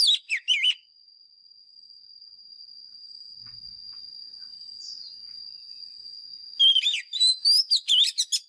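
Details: White-rumped shama used as a lure bird for training caged birds, in fighting song: bursts of high, slurred whistles and sharp chips at the start and end, separated by a long steady high-pitched whine.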